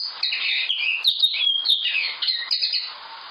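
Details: Common linnet song: a continuous rapid twittering of mixed chirps, short trills and buzzy notes, fairly high-pitched and tumbling without pause, with a few brief sharp clicks; no other sounds.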